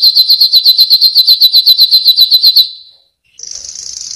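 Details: Yellow canary song: a steady, fast trill of high clipped notes for over two seconds, a short pause, then a hissing buzzy high phrase.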